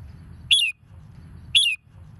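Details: Red-whiskered bulbul song used to rouse birds into competitive singing: two identical sharp, bright chirped notes about one second apart, over a low background hum.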